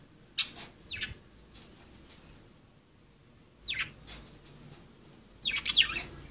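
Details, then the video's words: Playing budgerigars give sharp, scratchy chirps: one near the start, another after a long quiet stretch, and a cluster of rapid calls at the end. "Pericos australianos jugando"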